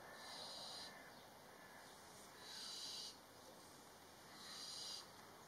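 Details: Two young barn owls interacting at their nest box entrance give harsh, breathy hisses about every two seconds, each lasting half a second or more, over a steady background hiss.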